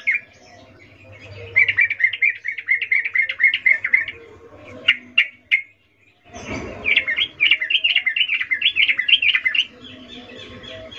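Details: Female sooty-headed bulbul calling a male with 'ngecuplik' mating notes: two long bursts of fast, evenly spaced chattering notes separated by a brief pause and a few sharp clicks, with a low hum beneath.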